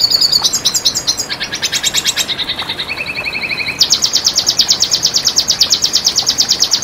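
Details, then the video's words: Red siskin song for teaching and luring birds: a twittering start, then a lower buzzy rattle. It ends in a long, fast, even trill of sharp high notes repeated about three per second. "Masteran Pancingan Bunyi Burung Red Siskin"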